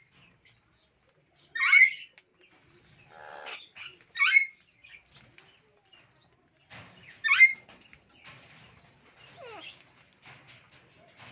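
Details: Sun conure from a breeding pair with three chicks eating sunflower seeds gives three loud, shrill, rasping screeches a few seconds apart, with soft chatter, faint chirps and light rustling between them.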